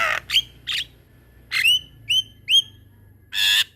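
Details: Javan myna singing in a loud, rolling, gacor style, kept as a master recording to train other mynas: harsh squawks alternating with upward-sweeping whistled notes, separated by short pauses, ending in a broad raspy burst.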